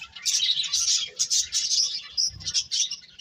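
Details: Birds twittering in a steady run of bright, high-pitched chirps with short thin whistled notes mixed through the chatter.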